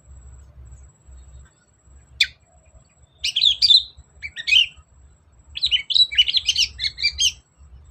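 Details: Cendet, or long-tailed shrike, in a song meant to spur a quiet, lazy bird to respond: a sharp single note, then scratchy, chirping phrases in clusters growing denser toward the end, over a faint low hum.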